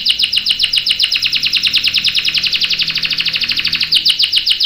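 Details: Canary singing a long roll, used to tutor young and adult canaries: a steady, fast trill of repeated sweeping notes held for several seconds, briefly changing pace near the end.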